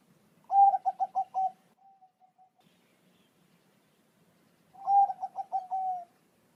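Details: Bangkok-type zebra dove song meant to make a pet dove answer: two phrases about four seconds apart, each a rapid string of short gurgling coos ending in a longer smooth note.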